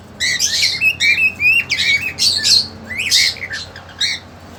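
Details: Young captive cockatiels, a male pursuing a two-month-old female sibling for mating; a string of harsh rasping squawks mixed with upslurred whistled notes, roughly one to two per second, loud and close.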